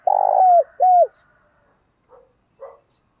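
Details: Spotted dove coos used to stimulate and lure doves: two loud low hooted notes, the first buzzy and long, the second shorter and falling, then two faint quieter notes after a pause.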